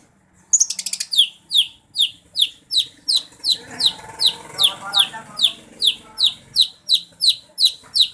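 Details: Chattering run of rapid high notes from a Jerdon's leafbird, a contest songbird that mimics other birds, settling into steady, evenly spaced descending whistles about three per second, over a murmur of background noise.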